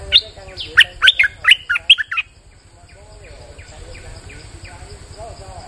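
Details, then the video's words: Rainy-day bulbul lure song: one rich, fast phrase of about seven loud, liquid notes swooping up and down. It is followed by soft, evenly spaced chirps over a low droning hum. "Suara pikat merbah lekir gacor"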